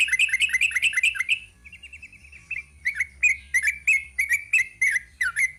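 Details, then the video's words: Sooty-headed bulbul with the long 'ropel' song: a quick run of bright chirps, a soft murmured trill, then spaced, liquid slurred phrases about twice a second over a low hum. "Kicau TRUCUK ROPEL PANJANG."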